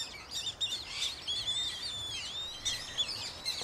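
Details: A Eurasian coot with five chicks in Beverwijk, the Netherlands. Thin, high, overlapping peeps and short whistled slurs, almost without pause, over a soft hiss of outdoor noise.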